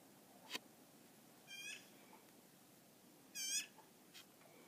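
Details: Magpie squawking while attacking a moose's heels: two short harsh, rasping calls about two seconds apart, with faint clicks and quiet background between.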